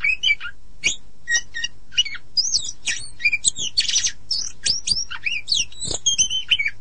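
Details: An Oriental magpie-robin (Copsychus saularis) sings a rich, varied string of whistles, slurred rising and falling notes and scratchy chatters, delivered rapidly with barely a pause.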